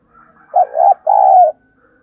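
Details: Spotted dove gáy call played to attract wild doves: one clear phrase of a quick wavering double note followed by a long steady mellow coo, with a faint thin whistle before it.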